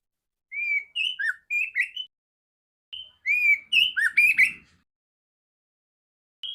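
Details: Female oriental magpie-robin with a loud, clear voice, played to train other magpie-robins; short bursts of clear whistled notes, some slurring up or down, in two groups split by a pause, then a lone whistle at the end.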